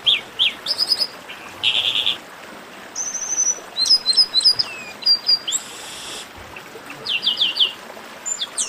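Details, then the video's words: Varied esquenta warm-up singing of a chestnut-capped blackbird: buzzy rasps, a thin drawn-out trill, clusters of sharp high whistles and downslurs, a harsh broadband buzz, and closing quick chips, all over faint hiss. "Melhor Esquenta de Garibaldi"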